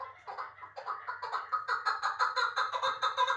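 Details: Captive chukar partridge of Uzbek origin, taken as a chick and kept in Dushanbe, Tajikistan, utters a series of clucking chuk notes that grow louder and quicker, nearly three per second, over a faint low hum.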